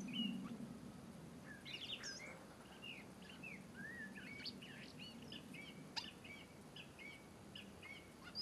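European robin giving a run of thin, high, varied warbling phrases, each brief and wavering, over a steady low rumble of outdoor background noise.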